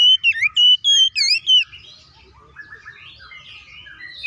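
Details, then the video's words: Oriental magpie-robin singing a rapid series of loud ringing whistles with bent and forked notes, followed by quieter rambling warbles, a recording meant to trigger other magpie-robins to sing; low murmur beneath. "KACER GACOR NGEPLONG TARUNG KONSLET BUKA PARU❗PALING AMPUH BUAT PANCINGAN KACER AGAR CEPAT EMOSI!"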